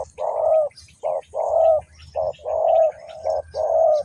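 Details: Spotted dove from Ninh Thuận used as a decoy to lure wild doves into a trap, giving hoarse cooing phrases, each a short note then a longer, slightly wavering coo, repeated about once a second with faint rustling beneath.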